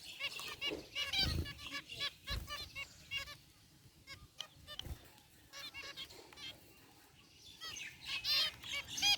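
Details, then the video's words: Aviary group of zebra finches, white and gray, chattering with quick nasal beeps in irregular runs, a quieter stretch midway, then a loud cluster of honking chirps at the end, with a few low knocks. "Cute Zebra Finches in Aviary | Relaxing Bird Chirping Sounds"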